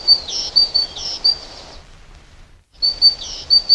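A great tit gives a run of high, thin, chinking notes, about two each second, then pauses before the notes start again. A faint outdoor hum lies beneath.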